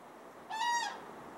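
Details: A single crane's call at a spring migration stopover in Falköping, Sweden, where thousands of cranes gather and dance to bond with mates: one clear, resonant bugling note lasting under half a second, then quiet.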